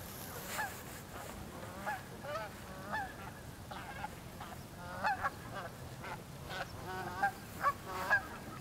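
Cackling Geese give high, yelping honks in quick, uneven bursts, several birds calling over one another above a low background rumble.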